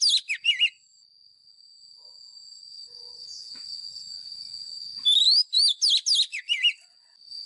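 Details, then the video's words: White-rumped shama used as a lure, in fighting song for voice training: short falling whistles at the start, a quiet stretch with a steady high drone, then a lively series of looping whistled notes. "Chòe than mồi # Chòe than mồi Hót đấu CHIM RỪNG || Luyện giọng chòe than hót"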